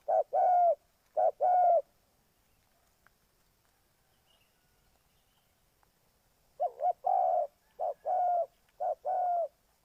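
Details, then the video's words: Decoy spotted dove used for bird trapping in Ninh Thuận: a few low, mellow coos, then several seconds of silence, followed by a renewed rhythmic series of paired hollow coos. "Cu gáy Ninh Thuận"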